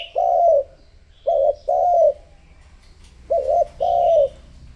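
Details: Spotted dove decoy calling to attract wild doves, with five longer, mellow, slightly wavering coos in two groups separated by brief pauses.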